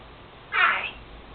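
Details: Pet Senegal parrot indoors, which has recently begun mimicking its owner's sneezing and also makes taught farting sounds; a single brief, harsh, sneeze-like burst of about half a second, broad and noisy in the upper range, in a quiet room.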